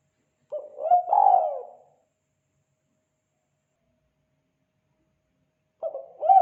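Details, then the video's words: Spotted dove in the 'kuk 2' call style for tutoring and luring: a single hollow cooing phrase with a long drawn central note, a long silence, then the start of another phrase. "Suara panggilan burung tekukur kuk 2 bagus untuk masteran dan pikat"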